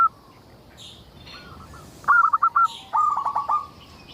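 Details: Lure song from a local zebra dove meant to get other zebra doves singing: after a quiet start, two bright bursts of fast, evenly stuttered coos follow each other, with soft high twitters behind.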